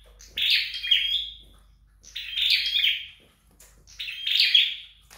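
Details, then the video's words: Flowerpecker at home in song practice: three well-spaced high phrases of dense buzzy chirps with a brief thin whistle inside each, soft hum behind. "Dợt Sâu Đầu Đỏ Tại Nhà"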